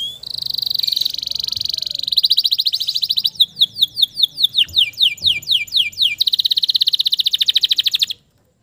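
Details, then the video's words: Lure song of a male canary for stressed canaries that have stopped singing: a long high buzzy trill, then a run of quick rising and falling whistled sweeps, ending in another rapid metallic trill before an abrupt stop. "TERAPI KENARI STRESS MACET BUNYI AGAR CEPAT GACOR LAGI DENGAN SUARA PANCINGAN KENARI JANTAN GACOR"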